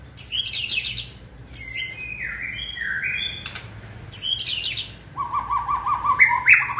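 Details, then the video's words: White-rumped shama in fiery peak form, 2020 season: loud harsh rasping bursts alternate with falling whistled slurs, ending in a quick series of repeated lower chip-like notes and a rising whistle. "Cọp Biển rực lửa (shama bird)"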